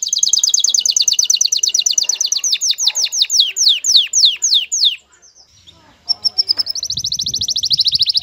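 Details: Male canary courting a female in breeding excitement: a rapid high trill gradually slowing into separate falling sweeps, a short pause, then another bright trill gathering speed.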